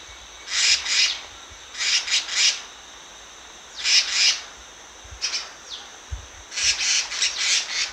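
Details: A black-naped monarch (Hypothymis azurea) gives short bursts of two to five sharp, high, rasping notes, with pauses of about a second between groups.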